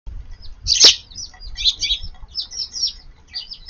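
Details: Sparrows feeding in a garden at midday on 4 April, eating before expected rain under a gloomy sky; busy overlapping high, short chirps and tweets throughout, with one sharp thump or wing flap near the start.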